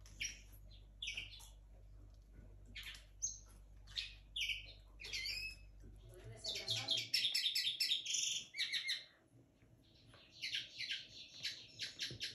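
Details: Song of a linnet hybrid bred in 2022 and just beginning to sing. Rapid chirps and short whistles build into a dense, fast twittering run of repeated notes in the middle, then scattered tweets. A low hum fades out midway.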